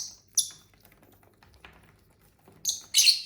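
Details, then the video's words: Pet lovebirds kept indoors give a single sharp, high chirp, then after a pause two more harsh shrill chirps in quick succession, with quiet room hum and faint taps between them. "Bird sounds for lonely lovebirds (Eating, Singing & Chirping Sounds)"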